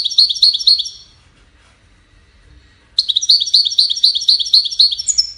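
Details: European goldfinch song: bright, high twittering notes delivered in rapid repeated series of about four per second, in a one-second burst, then a two-second silence, then a longer burst of similar chattering phrases.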